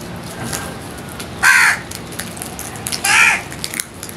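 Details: Feeding crows give two harsh, drawn caws about a second and a half apart, each a broad rasping burst, against a low steady background hiss.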